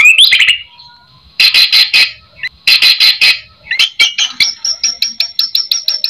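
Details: Lure song of a white-rumped shama, full of varied phrases to get other shamas calling: a twisting whistle, two harsh rasping bursts separated by a gap, then a quick series of high piping notes.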